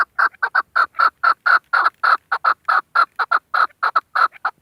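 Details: Calling female chukar partridge, kept as a hunting bird. It gives a steady run of short, harsh chuk notes, several each second, all loud and evenly pitched, with no other sounds.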